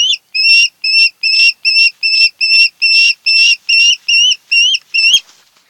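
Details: Osprey from a mated pair's nest on Kent Island, MD, nest camera, 08-10-2018: a rapid, regular string of about fourteen piercing whistled notes, closing with a brief click or knock.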